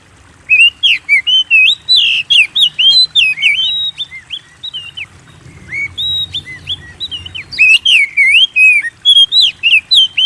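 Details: Kept white-rumped shama song played to spur caged birds to sing: long run of loud whistled notes, swooping up and down, with sharp high chips, a brief lull midway, then another lively burst.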